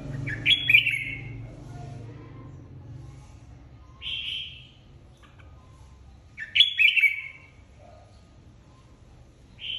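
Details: Caged red-whiskered bulbul, a former flock leader just separated into an aviary, singing in competition: loud, bright chirpy warbles recurring every two to three seconds, clear above a faint low hum.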